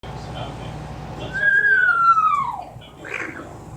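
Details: Pet Amazon parrot indoors imitating a falling bomb noise: a single long whistled tone gliding slowly downward over about a second, with faint room noise and a short burst after it.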